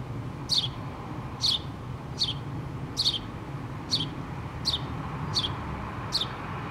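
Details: Nesting house sparrows in a pole, a mother and two young, 8-3-2017. Eight crisp, high, down-slurred chirps roughly every 0.8 seconds, with a low rumbling background.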